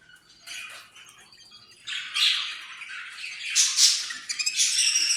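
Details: Australian parrot starting quietly, then breaking into louder grating squawks and chirps. The sound grows busier and more intense toward the end.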